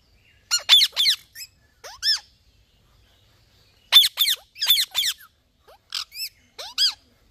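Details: Green ringneck parrot screeching in two clusters of shrill calls mixed with curved, rising notes, with a short quiet pause between the bouts.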